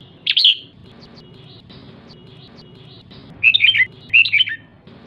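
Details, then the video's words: Female red-whiskered bulbul calling to excite males in the ché style: one bright chirp early, a long pause, then two bursts of quick tumbling chirps about half a second apart. "Chào mào mái ché/chào mào mái ché kích trống/ché kích trống căng lửa nhanh ché"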